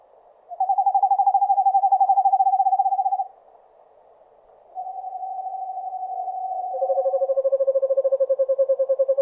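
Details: Eastern screech owl in a forest giving long, steady, monotone trills of rapid low whistled pulses, each lasting about three seconds, with a second, slightly lower trill overlapping a higher one near the end.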